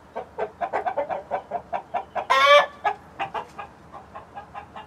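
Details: Hens of mixed breeds, among them Light Brahma and Barred Plymouth Rock, alongside a Rhode Island Red rooster: fast, loud clucking interrupted by one drawn-out squawk, then the clucking resumes at a slower pace.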